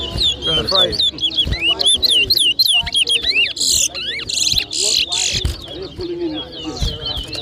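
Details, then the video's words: Competition towa towa (chestnut-bellied seed finch) in New Amsterdam, Berbice, Guyana, 2023, singing a fast string of clear looping whistles, some rising steeply, broken by hissy bursts, with voices and background murmur. "TOWA TOWA BIRD WHISTLING COMPETITION"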